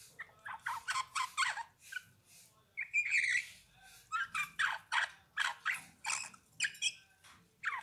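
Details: Eurasian bullfinch singing a steady series of short, scratchy warbled notes, about two per second, broken by a brief louder squeaky burst in the middle, in a quiet setting.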